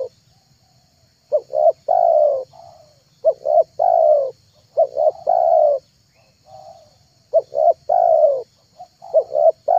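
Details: Spotted dove lure recording, meant to attract wild, trained and silent doves: repeated cooing phrases, each of one or two short clipped notes then a long, slightly falling coo, about five phrases over ten seconds, against a faint steady hum.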